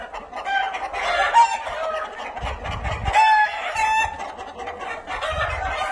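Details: Flock of Cream Legbar chickens in a hatchery pen making busy clucking and cackling, broken by a few short, clear squeaky notes, with low scuffling noises between calls.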